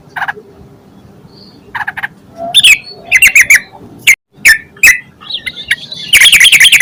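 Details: Yellow-vented bulbul singing energetically as a lure for other bulbuls. Soft chirps first, then loud clusters of sharp notes, and a brisk harsh chattering run starting at the end.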